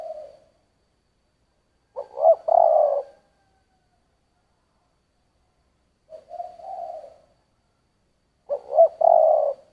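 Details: Spotted dove, "giọng thổ" cooing: soft drawn-out low coos alternate with louder phrases of quick stuttered notes ending in a held coo, separated by long silent gaps.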